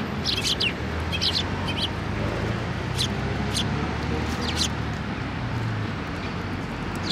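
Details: Feeding sparrows visiting a post at a Tenmangu shrine on 1 December 2023 give bursts of high, scratchy chirps and clicks, scattered irregularly against continuous low urban traffic noise.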